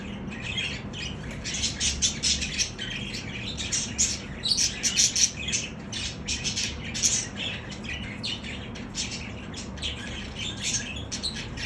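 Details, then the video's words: Budgerigar song used to stimulate budgies: dense, fast, scratchy warbling with squeaky chirps and clicks, in bursts of varying loudness, steady low hum underneath. "صوت نااااار للتحفيز البادجي"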